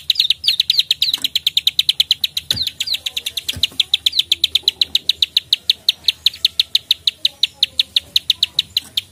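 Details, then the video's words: Rapid high clicking from a plain prinia, the klik-klik call of the prenjak sawah, used as a tutor sound for songbirds: evenly spaced dry ticks in a long unbroken series, with a couple of faint knocks. "prenjak klik gacor fighter narung"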